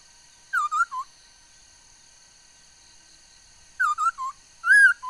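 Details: Laughingthrush recorded 13 August 2021: two groups of three short, wavering whistled notes separated by a long pause, the last group ending in a louder, higher warble.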